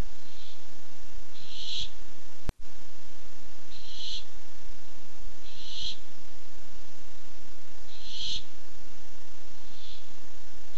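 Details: Barn owl arriving in search of food, dated 8-7-15: a run of breathy, noisy screeches repeated roughly every two seconds, some fainter than others, with one sharp click early on.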